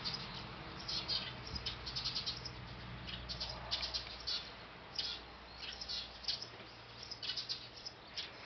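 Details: Eurasian tree sparrows at their nest on a factory roof, captured with a D5000; scattered high chirps in short clusters, softer than before, over a steady low mechanical hum.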